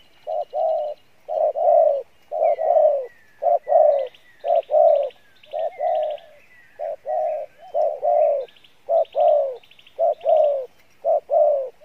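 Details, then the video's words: Spotted dove of field-caught stock cooing in the Pha Bài Lối style. Steady low coos are repeated almost once a second in paired beats. Another small bird chirps and trills rapidly at a higher pitch throughout. "Đồng Pha Bài Lối , tốt Giọng , Gù khá"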